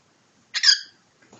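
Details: A pet cockatiel scuffling with its owner gives one short, harsh, hissing squawk, rasping and broadband, followed by a faint soft rustle.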